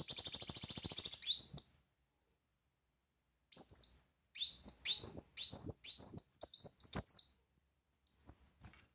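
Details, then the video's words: Loud, chatty brown-throated sunbird song of the 'tembakan' type: an opening buzzy high trill, a pause, then bursts of rising, very high-pitched chirps and slurred notes in quick irregular clusters. "Kolibri Wulung Gacor Tembakan Keras"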